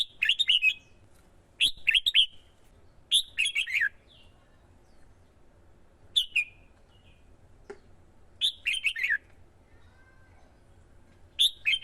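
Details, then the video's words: Male red-whiskered bulbul kept as a decoy in Vietnam, stirred by a female into competitive 'twisting voice' singing; short rich whistled phrases of a few rapid notes, repeated with irregular gaps of one to three seconds. "CHIM CHÀO MÀO KÍCH CHIM HÓT MỞ MỎ CĂNG LỬA HÓT ĐẤU"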